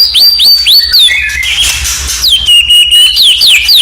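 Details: Murai batu training song for contest birds: very high clear whistles repeated quickly, a loud rasping burst in the middle, then a long sliding whistle and more high notes.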